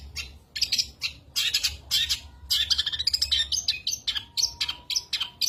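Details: Long-tailed shrike in energetic song full of rapid fills, dense bursts of high chirps and trills in quick succession, a faint low hum beneath.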